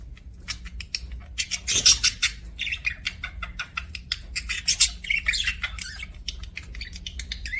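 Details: Budgie chattering nonstop: rapid, clicky chirps and buzzy, high warbles running together, with a brief loud flurry early on, over a faint steady hum.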